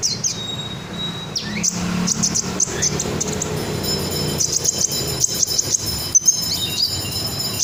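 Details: Red sunbird in ngobra singing style, meant as master song for training other songbirds; thin, high, slurred notes open the clip, followed by dense rapid chittering and sharp high chirps, with a constant low hum behind.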